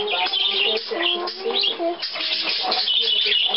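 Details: Hand-tame budgerigars with their keeper, recorded 14 May 2010: dense, fast twittering and scratchy warbling chirps run continuously throughout, with a person's voice murmuring underneath.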